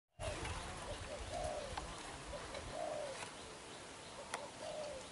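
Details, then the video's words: Young wild-caught black-eyed spotted dove cooing intensely in the bowing 'đập gù' style: soft, low, slurred coo notes in short phrases, fairly faint against steady background hiss, with a few sharp clicks. "Bổi Tơ mắt đen, đập gù quá dữ chim"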